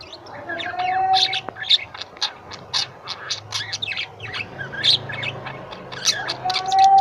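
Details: Several pet lovebirds at home chatter in quick high chirps and squeaks, with dense bursts throughout and a thin whistled tone near the start and end.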